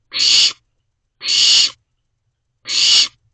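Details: Owlets inside a nest box at night, just after midnight: three harsh, broad hissing screeches, each about half a second long, spaced over a second apart, with silence between.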